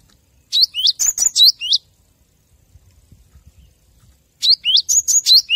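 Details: Master recording of a cinereous tit for training captive birds: two bursts of rapid, high, twittering chirps, each about a second long and separated by a quiet pause with faint low rumble.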